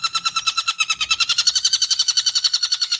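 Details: Long-tailed shrike singing full ngekek tembakan: a steady, rapid series of harsh, rasping repeated notes, about eight per second, throughout.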